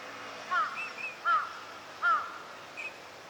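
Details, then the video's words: Eurasian teal, a winter visitor, recorded in March at a park pond in Chiba, Japan: short clear whistled notes repeated about three times, each a brief falling whistle, with steady background noise. "コガモの鳴き声 (Anas crecca) - カモの鳴き声 / Eurasian teal sounds"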